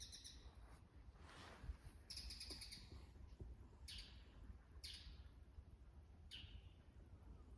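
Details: Autumn dawn in Showa no Mori, Chiba City, Japan, around 5:30, where a bull-headed shrike utters shrill, piercing kee-kee notes as a territorial declaration. Brief, sharp, high squeals are repeated every second or so against faint background hiss.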